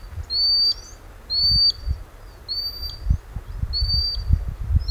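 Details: A common sandpiper calls its chicks near its breeding site by a river in northern Scotland. It repeats a thin, high piping whistle about once a second over low wind rumble and thumps.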